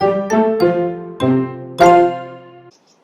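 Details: Bright chiming notes of a children's jingle ring out in a short descending sequence, then fade to silence, with no animal sound.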